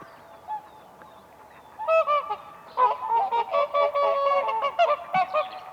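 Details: Whooper swans dancing on ice at a spring lake, quiet at first, then a burst of loud, rich trumpeting honks repeated in quick succession, several birds joining in an excited series.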